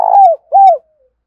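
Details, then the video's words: Decoy spotted dove calling to lure wild doves for trapping. Two low coos sound, the first rough at its start, each sliding down at the end, followed by a faint fading tail. "Tiếng chim cu gáy mồi gáy gọi bổi nhanh về cội/ tiếng chim cu gáy kích bổi nhanh nổi hiệu quả nhất"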